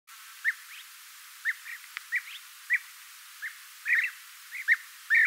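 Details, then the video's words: European bee-eaters give short, liquid, rolling 'prruip' notes at mid pitch, spaced irregularly about once a second, some overlapping as if from several birds. "The sound of a golden bee eater European bee eater"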